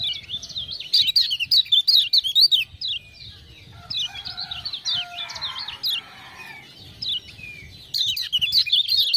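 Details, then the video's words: Lemon-bellied white-eye from Lombok singing hard in response to ciak-ciak calls: dense strings of high zigzag chirps, about two and a half per second, broken by a softer lower warble midway. "Kecial Kuning joss gacor"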